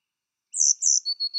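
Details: Coal tits at a garden nest box while rearing chicks, late May 2019: a few thin, very high chirps in two quick bursts, then three short level pips. The background is otherwise quiet.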